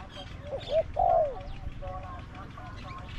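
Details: Spotted dove kept as a trapping decoy and set against wild birds, its voice described as small to medium. One phrase: a quick short coo, then a drawn-out coo that slides downward, followed by quiet background chirps.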